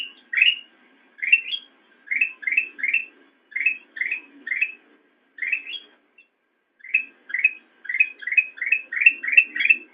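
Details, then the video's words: Chattering whistled song of a black-crested bulbul, a master recording for training caged songbirds: quick bright rising and falling notes repeated in bursts about every half second, briefly pausing, then running together densely toward the end. "Ocehan Burung Kutilang Emas"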